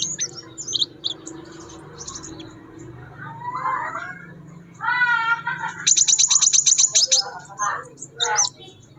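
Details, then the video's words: Wild scarlet minivet in lively song: a fast run of about ten piercing, very high notes, set among other birds' lower warbled, slurred phrases and scattered high chirps, with faint background hum. "BURUNG SEPAH RAJA GACOR DI ALAM"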